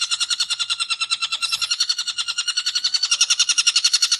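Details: Long-tailed shrike giving ngekek chatter: a fast, even series of scratchy, buzzy notes, roughly three or four per second, sustained without a break and growing slightly louder toward the end.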